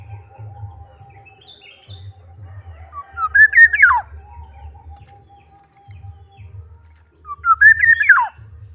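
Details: Two mellow, flute-like phrases from a Black-naped oriole in vigorous song, roughly four seconds apart, each swelling upward and dropping away abruptly, with a steady faint tone and low rumble in the background.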